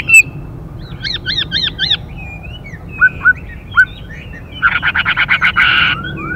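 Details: Chinese hwamei pair, female calling to stimulate the singing male: a softer sequence with four repeated looped twitters, scattered short whistles, then a rapid burst of rasping pulsed notes near the end.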